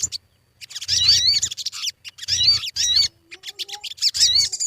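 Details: Sogon song used as a lure to get birds singing quickly: bursts of high, rapid, twisting whistled notes in phrases about a second long, separated by short pauses, with low thumping noises under the bursts.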